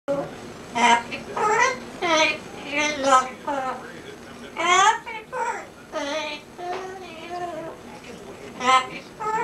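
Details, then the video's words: Pet talking parrot singing happy birthday to her owner indoors: high, speech-like sung syllables with wavering, rising and falling tones in uneven bursts over a steady background hiss. "Parrot sings happy birthday to owner"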